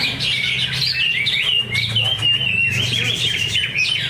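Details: A caged greater green leafbird competing in a practice singing contest at Danau Bumi Restu, Cikunir, pours out a continuous run of high, sharp whistles and chattering slurs, with low crowd rumble beneath.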